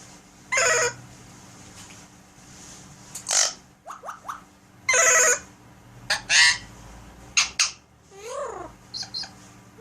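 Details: Pet Alexandrine parakeet mixing talking with sound effects indoors: harsh bursts, clicks, short whistles and a wavering descending note, irregularly spaced.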